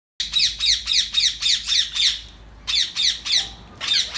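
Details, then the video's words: Indian ringneck parakeet at feeding time giving harsh, screechy squawks about four times a second in a rapid run, then a brief pause and more bursts. "ringneck parrot feed time - parrot sounds"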